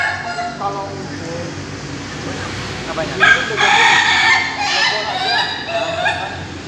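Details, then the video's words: Laughing roosters of the Ayam Ketawa breed kept in a Bogor farm pen during a joint training meet. Quiet chatter at first, then a loud burst of layered harmonic crowing from about midway, several birds overlapping. "latber ayam ketawa"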